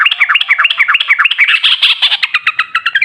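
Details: Lively gacor song of a sooty-headed bulbul in ropel style, meant as a lure for others to answer: a dense, continuous rattle of rapid chirping notes, slightly rising in pitch midway.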